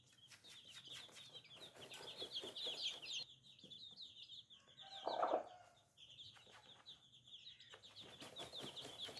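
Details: Many baby chicks cheep rapidly, close to four peeps a second, in a dense, high, trilling chorus. Dry clicks run alongside, a short loud squawky burst comes midway, then the peeping resumes.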